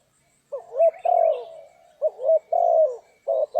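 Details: Loud spotted dove coos recorded during trapping in rainy, stormy weather: after a short silence, a quick double note leads into a longer sustained coo, the pattern repeating twice more, with a faint background twitter.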